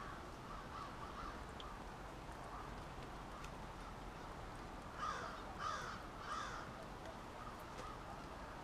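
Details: Crows at a nightly roost in suburban Halifax, Nova Scotia: a distant crowd of calling birds, then three clear caws spaced about half a second apart near the end.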